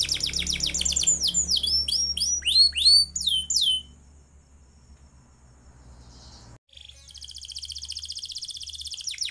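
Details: Canary song intended as a tutor for other birds: quick trilled notes and descending whistles for four seconds, a quiet pause, then a softer fast high trill resumes, a low hum throughout.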